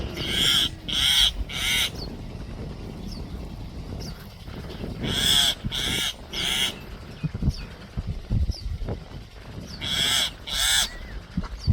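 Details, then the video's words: Common myna giving an alert call: harsh, rasping alarm notes in bursts of two or three every few seconds, with faint chirps of other birds and a low background rumble. "Common Myna Making Alert Call"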